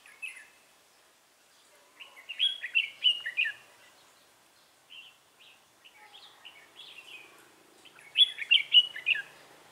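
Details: Red-whiskered bulbul decoy bird singing its fighting song used in trapping, recorded 3 November 2018: scattered bursts of quick chirpy whistled phrases, louder near the start and end, with short quiet gaps between.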